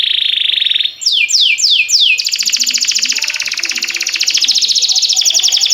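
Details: A canary, singing for training canaries, gives four quick descending swoops in a row, then launches into a long, fast pulsing trill that continues to the end.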